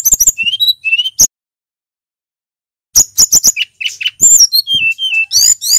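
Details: Male brown-chested jungle flycatcher from Bali singing loud and clear: quick high chirps and short whistles, a pause of nearly two seconds, then a renewed burst of chips, sliding whistles and rising notes.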